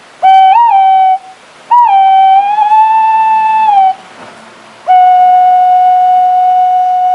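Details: Fluty whistled song of a White-bellied green pigeon: two short wavering notes, then a long whistle that swells slightly in pitch before falling, and a second long steady whistle held to the end.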